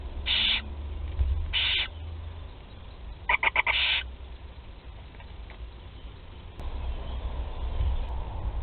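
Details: Barn owl chicks at Théding at their first feeding on 8 July 2020. Harsh, broadband hissing bursts: two separate rasping hisses, then a stuttered, pulsing hiss near the end, over a steady low hum.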